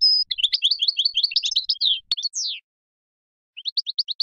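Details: European goldfinch, Major type, recorded 2015, pours out a fast chattering twitter followed by a drawn-out descending buzz. After a silence comes a short series of rising chirps.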